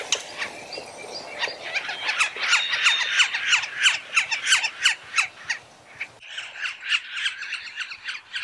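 Yellow-bellied Sapsucker giving rapid, repeated nasal squealing calls, about three per second, harsh and descending, with an abrupt cut partway through.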